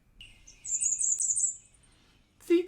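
A Bay-breasted Warbler gives a thin, very high, even-pitched song of quickly repeated notes, followed by a short burst of a man's voice.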